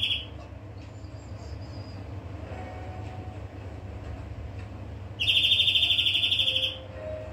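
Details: Quiet stretch with faint high notes and a low hum after the end of a trill, then a greenfinch bursts into a rapid, bright trill lasting about one and a half seconds.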